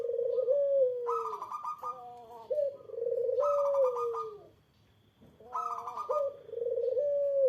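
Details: Eurasian collared dove calling to make a rival answer: three long rolling coos that drift downward, each overlapped by a higher, harsh, pulsed sound from another source.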